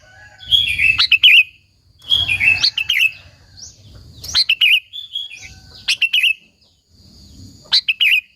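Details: Energetic song of a sooty-headed bulbul (kutilang), played to stir and call other bulbuls: slurred, warbling whistles that break into quick liquid notes, each phrase about a second long and repeated every one to two seconds.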